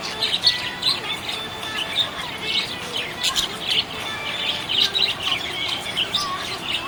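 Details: Happy budgerigar chirping, a continuous busy chatter of high warbles and quick chirps rising and falling in bursts, over a constant low hum.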